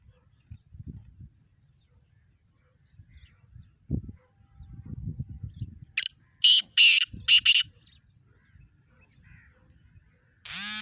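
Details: Black francolin (kala teeter) calling in Sindh, Pakistan: a loud phrase of four harsh, buzzy bursts in quick succession after low rumbling background noise, with another sharp burst at the very end.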